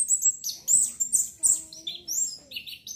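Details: Orange-headed thrush song, used as therapy to stir breeding urge and prompt eager singing: a rapid jumble of high whistled and warbled notes, many sliding downward, with mimicked-sounding phrases and faint low hum beneath.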